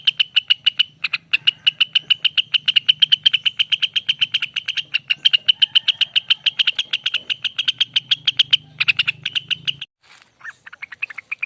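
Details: Lesser green leafbird giving a long rapid song: a steady run of sharp, evenly spaced high notes, about five each second, ending in a few varied chips, over a faint low hum.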